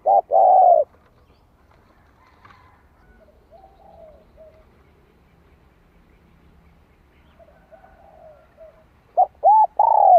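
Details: Spotted dove decoy bird cooing in the two-ending "hậu lỡ" style used to train newly caught wild doves: a loud rounded coo opens, then a long quiet gap with faint murmurs, and a burst of three hoarse coos closes.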